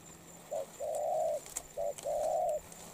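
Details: Spotted dove, caught from the wild and in molt, coos twice: each phrase is a brief low note then a long sustained hollow coo, delivered quickly and evenly in a quiet setting.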